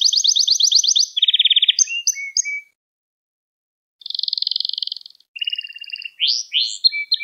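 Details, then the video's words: Canary singing in a recording meant to teach young canaries, with rapid high trills, a lower rolling trill, scattered short whistles, a silent gap of over a second, then a buzzy trill and upward-sweeping notes. "Kanaryanız Çıldıracak Ders Gibi Kanarya Sesi Ve Ötüşü"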